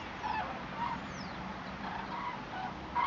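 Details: Distant common cranes migrating in October 2014 give rolling, trumpeting flight calls, several overlapping bugles every half second or so, as from a passing flock, over a soft background hiss.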